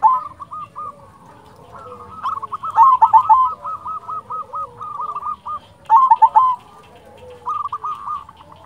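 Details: Local silver zebra dove in active song, used to stir quiet doves into singing: runs of soft, hooked cooing notes at a steady pitch, broken by louder rolling bursts, with pauses between phrases.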